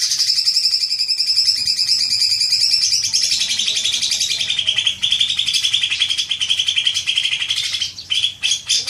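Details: Long chattering of a green magpie used as a lure to prompt long chattering, a dense, buzzy, rapidly repeated high rattle sustained for many seconds, dropping slightly in pitch midway and breaking up near the end.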